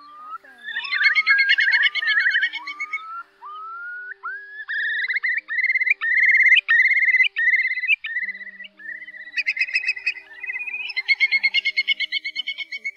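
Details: A Whimbrel gives a string of clear, rising whistles, then fast rippling titters of even notes near the end, over a faint low hum; a recording tied to night migration in August.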